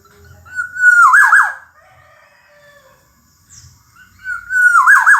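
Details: Black-naped oriole phrases from a songbird master track: a rich whistled line that breaks into a bubbling downward warble, then a quiet gap, and a second whistle rising into the next phrase as the clip ends.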